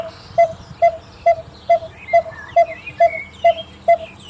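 A coppersmith barbet gives a steady, mellow tuk-tuk-tuk, about two hollow notes a second, with faint higher chirps from other birds behind.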